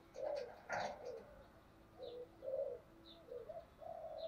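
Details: Spotted dove with the thổ voice style, giving urging and calling coos: low, soft, hooting phrases repeated in short bursts, with a brief harsh noise near the start and faint high chirps of other birds in the background.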